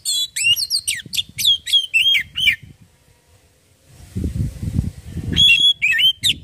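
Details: Kacer (Oriental magpie-robin) lure song: quick whistled and trilled notes for about two and a half seconds, a quiet pause with low rumbling thumps, then another run of bright whistles.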